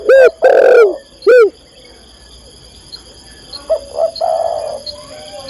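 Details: Spotted dove female calling the male, kept as a cage-bird training recording: three powerful arching coos in quick succession, silence, then gentler flat-toned cooing notes, with a faint constant whine.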